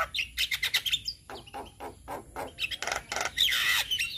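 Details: Male Javan myna singing, a recording meant to teach other mynas to sing: a rapid jumble of harsh broadband clicks and rasps mixed with short whistled notes, ending in a buzzy squeal.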